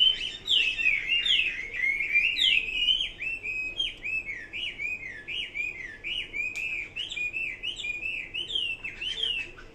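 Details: Chinese hwamei singing clear, melodious whistled phrases, notes swooping up and down in a flowing wavy line, loud at first and gently fading.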